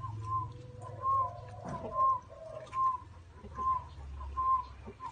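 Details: Spotted dove in a small garden: short, clear, evenly pitched notes repeated roughly every 0.8 seconds over lower, wavering cooing phrases, with faint background rumble.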